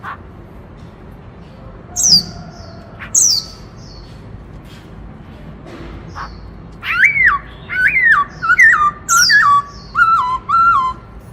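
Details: White-browed laughingthrush singing intensely in the 'Bắt Cô Trói Cột' song style. A few high, sharply down-slurred whistles come first. Then a run of six loud, looping whistled phrases, each rising then falling, follows about once a second over a faint background hiss.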